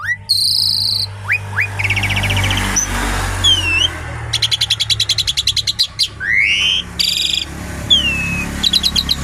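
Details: Javan pied starling in full, lively song: varied whistles, upslurred and downslurred notes, fast trilled rattles and harsh buzzy phrases over a steady low background hum.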